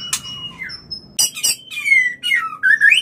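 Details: White-rumped shama mating call played to trigger breeding: sharp high notes, a sustained whistle, then falling and rising glides, with low background hum.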